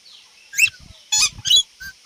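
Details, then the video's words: Indian ringneck parrot (rose-ringed parakeet) talking and making sounds: three loud, harsh, screechy bursts within two seconds, the first rising sharply and the later two rasping and broken, with softer faint notes between them. "Indian Parrot Talking and Making Sounds"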